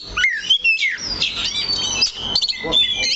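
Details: An Oriental magpie-robin sits fixed on a single point of its stand. It gives a rising whistle and a quick downslurred note, then a jumble of scratchy, squawky high notes and trills.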